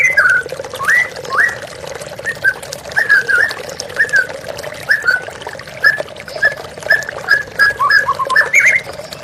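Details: White-rumped shama singing over the constant rush of running water; a long run of short, varied whistled phrases, some rising and some falling, repeated roughly every half second.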